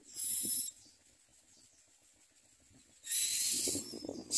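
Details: Common myna chicks in the nest opening their mouths wide to be fed, giving two harsh, hissing begging bursts about half a second long, separated by a quiet gap of over two seconds; faint low rustling between.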